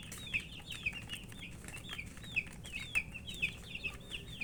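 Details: Thirsty domestic chicks wanting water; separate high peeps arching up then dropping, roughly two per second, fairly evenly spaced, over soft low-frequency hum.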